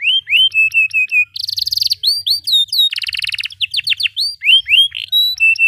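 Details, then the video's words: Canary song used as a model for training young canaries to learn song and for therapy of canaries that have stopped singing: loud, fast varied phrases of whistled rising and falling notes, rapid buzzy trills and rolling chirps, with a faint low hum beneath. "Kenari GACOR PANJANG Cocok utk Terapi Kenari Macet, Masteran Kenari Paud Belajar Bunyi"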